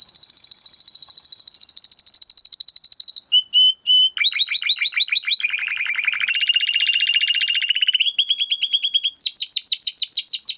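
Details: Timbrado canary training song: continuous rolling trills changing in pitch, sustained high whistled tours, a low metallic run, then rapid buzzy repeated notes climbing to a very high sweeping trill, about three notes a second and faster.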